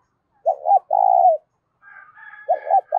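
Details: Spotted dove cooing with a loud, clear voice, used to stir up decoy doves. Two low hollow coos: a short doubled note, then a long drawn coo, repeated at the end. A higher, longer drawn call from another bird sounds between them.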